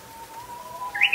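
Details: Japanese bush warbler singing on a rainy evening in the rainy season, 1 July 2021: a long, steady, low whistle slowly rising, then ending in an abrupt, sharp, higher flourish.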